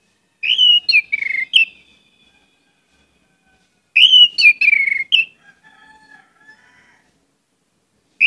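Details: Lively song of an orange-headed thrush, played to lure other birds into singing: two bursts of four or five slurred, descending whistles, the second followed by a soft, low warbled trail, with pauses of a few seconds between.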